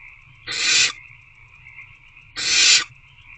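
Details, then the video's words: Hungry owlets in an owl box at 8:13 pm on 26 February 2024 produce two rough screeching hisses roughly two seconds apart, with a constant high tonal hum in the background. "Hungry Owlets Try Again to Eat The Rodent."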